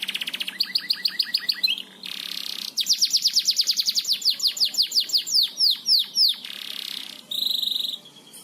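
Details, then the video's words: Loud canary master song in the gacor ngebor style for training: stacked rapid trills, a long run of strong falling whistled sweeps and a sustained buzzy tone. "Masteran Burung Kenari gacor ngebor"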